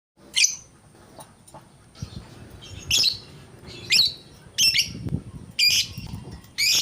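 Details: Lovebird singing, shrill high chirps in short bursts roughly once a second, rising in frequency toward the end, with a faint steady background hum.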